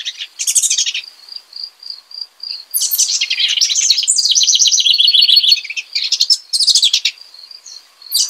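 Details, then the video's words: Singing house wren, several bursts of rapid, bubbly, high-pitched warbling, with a long run of tumbling notes in the middle and short steady high pips between the phrases. "Singing House Wren.(Troglodytes aedon)."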